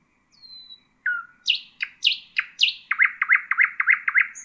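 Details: Nightingale singing to tutor young birds: a thin falling whistle, then a lower slurred whistle, then a series of loud descending sweeps that speeds into a rhythmic run of sharp repeated chopping notes.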